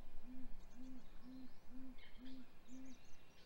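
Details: Great gray owl at its nest during hatch week, 7:26 am on 27 April 2020, male delivering prey to the female amid calling between the pair: six soft, deep, even hoots, about one every half second, over faint background noise.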